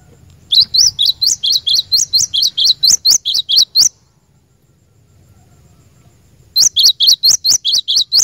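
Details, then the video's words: Glatik batu (cinereous tit) lure bird in full song: a long, steady run of around sixteen high, ringing notes at a brisk pace, a short silence, then another run of similar sharp notes. "Burung Glatik Batu Pikat Gacor"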